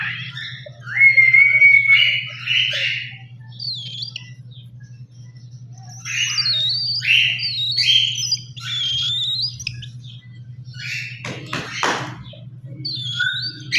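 A young cockatiel gives rapid, raspy squawks and short wavering whistles over a steady low hum.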